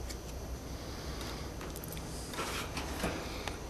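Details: Low indoor rumble with faint scattered clicks and light tapping, no animal voice present.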